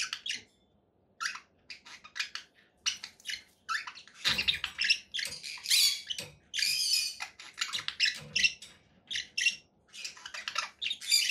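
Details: Conure parakeets giving harsh, broadband squawks and chirps in irregular bursts, separated by short silences, with several louder raspy calls clustered in the middle of the stretch.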